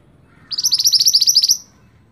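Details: Scarlet-backed flowerpecker singing vigorously, used as master song for training songbirds: one fast, rolling high trill of about twelve sharp, evenly spaced notes lasting roughly a second, over faint low background hum.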